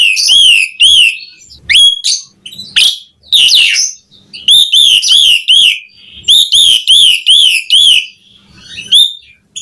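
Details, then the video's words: Asian pied starling giving busy gacor song with varied fills. Quick strings of rising-and-falling whistles alternate with harsher, abrupt downslurred notes, and brief pauses fall between phrases. "Suara Jalak Suren Gacor Mudah Ditiru Pancingan Burung Jalak Mompa Ngomong Bunyi Gacor Full Isian"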